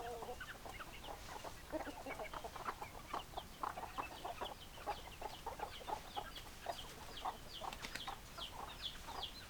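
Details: Flock of chickens with hens clucking: a busy, continuous stream of overlapping short clucks and chatter, with no pause across the whole stretch.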